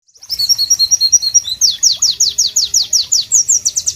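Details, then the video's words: White-eye (pleci) song in tropical surroundings: a loud, sharp, very high run of quick downslurred notes, about two each second. It opens with a rapid twittering trill, and a low steady rumble sits underneath. "Masteran Pleci Bird Sounds Loud, Sharp and Melodious"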